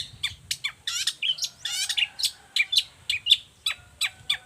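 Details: Harsh long-tailed shrike song intended as a model and lure for other shrikes: grating buzzy phrases and sharp repeated chips about twice a second, over low rumbling background noise.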